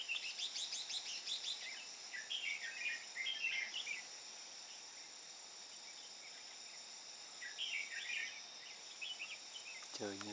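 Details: Red-whiskered bulbul decoy from Hòa Bình, used to lure wild birds into a trap on 13 May 2017, with 'ché' style singing: bursts of short, chirpy, warbled notes, then a quiet gap and a shorter burst, over steady high insect drone.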